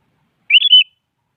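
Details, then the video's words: A sooty-headed bulbul challenges a rival with its morning song, a single quick three-note whistled phrase, bright and bubbly, with nothing else heard. "Suara Burung Kutilang Pagi Hari Mengajak Lawan Adu Bunyi"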